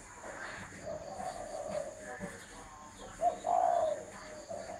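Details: Spotted dove with soft, hollow cooing: a quieter drawn-out phrase first, then a louder, clear coo near the end, over light ambient noise.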